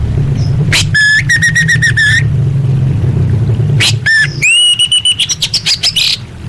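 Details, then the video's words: Female orange-headed thrush calling to males, a sound used to lure quiet birds into singing: a single whistled note, then two bursts of rapid, buzzy, harmonic rattling over a steady low hum. "Suara Anis Merah Betina Gacor Untuk Memancing Burung Macet Bunyi"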